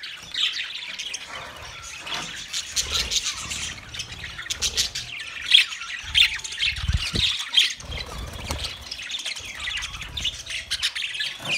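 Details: Budgerigars, Australian parrots, recorded 13 March 2024: continuous dense chattering and squawky chirps from several birds, overlapping rapid scratchy notes with occasional sharper squeaks throughout.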